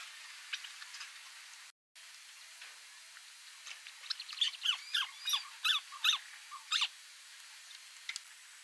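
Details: White-browed crake among water lilies at Bung Boraphet, Thailand, in May 2011: scattered faint notes, then a run of about seven sharp, high chattering calls, roughly two or three per second, over a quiet background.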